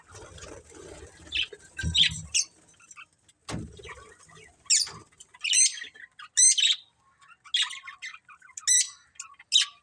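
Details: Breeding pair of budgerigars: some low rustling and knocks at the start, then separate high, sharp chirps with a squeaky, harmonic tone, spaced about half a second to a second apart.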